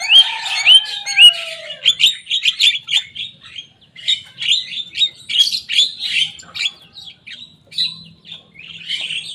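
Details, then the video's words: Young Javan myna in full song, copying rival birds: clear rising whistles at the start, then a long string of chattering, scratchy notes in quick bursts, nearly two per second. "Jalak kebo muda gacor bongkar suara lawan."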